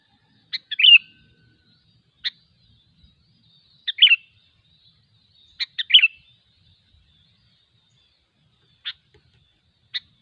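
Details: Wild sooty-headed bulbul singing: short bubbly phrases of two to four quick notes at a bright mid-high pitch, given irregularly about every one to two seconds, with some single sharp notes in between; quiet background.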